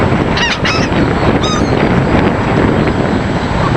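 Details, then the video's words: Seagulls calling while being fed, giving a few sharp, high, harmonic squealing calls in short bursts early on, over steady loud rushing wind and surf noise. "2min 8sec of feeding seagulls"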